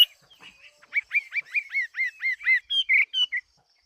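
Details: Fighting Chinese hwamei recorded in 2018, delivering a rapid run of down-slurred whistled notes, about four each second, ending in a few higher, sharper whistles.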